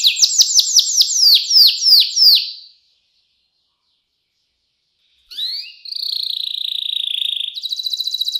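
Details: Canary master song in the 'cengkok mewah' style for young canaries to learn: nine loud, falling whistled slurs, a silent pause of about two and a half seconds, then a rising note and a steady, buzzy high trill.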